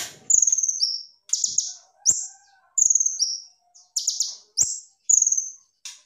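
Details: Gacor kolibri ninja, full tembakan, used as tutor song. Quick rattling trills break off into thin falling whistles, repeated in regular bursts roughly every second, very high and sharp.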